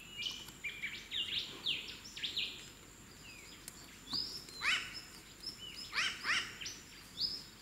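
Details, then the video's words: A free-flying wild New Caledonian crow strips and bends a twig into a tool, giving paired harsh 'wak wak' contact calls in the second half amid a busy chorus of high, chirping small birds. "Wild New Caledonian crow vocal communication"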